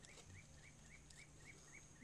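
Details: Spotted Puffbird (Bucco tamatia) in Amazon forest at Inírida, Colombia, giving a steady series of thin, rising whistled notes, about four each second, over a low background rumble.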